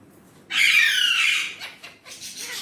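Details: A single long, loud, raspy squawk from an Indian ringneck parrot said to talk in Urdu/Hindi, fading into softer rough notes.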